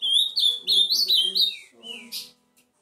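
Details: Rich warbling song of an Ultramarine grosbeak, linked high whistled phrases that rise and drop, ending in a short trailing note, with a soft low hum in the background.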